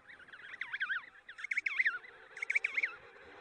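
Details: An emperor penguin chick gives three bursts of high, warbling whistles, each a quick run of rising and falling notes about a second long.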